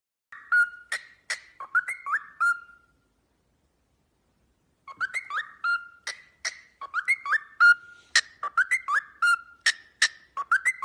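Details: A cockatiel whistles a copy of a Samsung phone ringtone: bright, tuneful quick stepped notes around mid pitch with sharp clicks, a pause, then the tune repeated.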